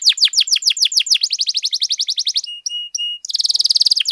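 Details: Domestic canary in vigorous long song for tutoring and prompting other canaries: quick downswept notes, a rattling trill, two clear level whistled tones, then a very fast buzzy roll.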